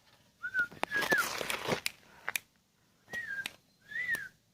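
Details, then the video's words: Sooty-headed bulbul, ten years old and owned as a pet, giving a few rich arched whistles spaced out over several seconds. A loud rustling burst and sharp clicks break in early on. "BURUNG KUTILANG"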